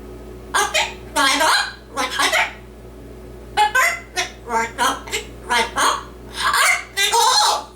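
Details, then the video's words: Indoor pet yellow-naped amazon parrot, male, reciting a Dr. Seuss book in imitated human speech; a chain of short raspy syllables in even rhythm, about two per second, followed by a drawn-out final word. "Parrot Singing and Reciting a Dr. Seuss Book"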